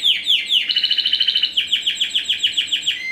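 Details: Song of a first-generation Spanish Timbrado × wild canary cross bred in 2015, ring ST16: a run of fast down-slurred chirps, then a long, even, rattling trill of rapidly repeated notes ending on a clear whistle.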